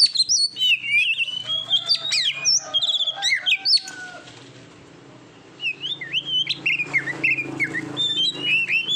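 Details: Oriental magpie-robin training song for competition birds, a varied run of whistled and chirped notes mostly high, pausing mid-clip before resuming with rising and falling whistles; faint low hum beneath.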